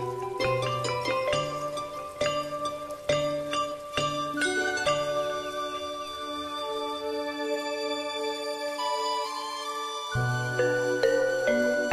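Gentle instrumental music with bell-like mallet tones and sustained chords, with no animal voice heard.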